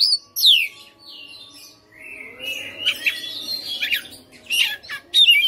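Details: Home-kept white-rumped shama singing: a loud descending whistle opens, followed by softer buzzy, scratchy warbling and a closing sharp note.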